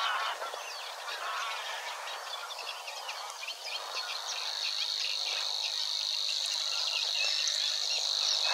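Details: Savi's warbler singing in marsh near the Weerribben, Wetering West, Overijssel, Netherlands, 6–7 May 2022: a long, even, high buzzing reel without a break, over scattered chirps and chatter from other marsh birds.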